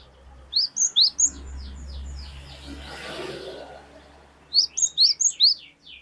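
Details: Glatik batu, the cinereous tit, singing loudly: a phrase of four ringing, upslurred whistles, a two-second gap filled by steady hiss and low hum, then another fast run of five to six similar notes.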